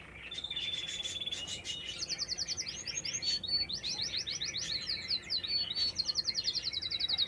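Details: Canary song in a natural setting: a thin sustained whistle opens the song, then clipped rapid trills, looping warbles and a final fast high trill.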